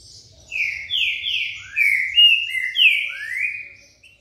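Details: Green-winged saltator singing in the style called "trem bala", a run of loud, clear whistled phrases, each sliding downward, repeated about seven times in quick succession at a high pitch, with a faint low rumble underneath.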